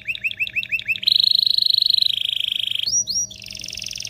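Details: Canary song meant to excite males and prepare females for mating: a run of rising chirps, then a long fast rolling trill, two sharp upslurred notes and a buzzy high trill.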